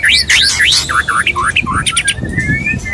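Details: Male white-rumped shama courting a female, its song used to provoke other males; loud whistled phrases with looping rising and falling notes near the start, then shorter slurred notes, dry clicks and a thin sustained whistle.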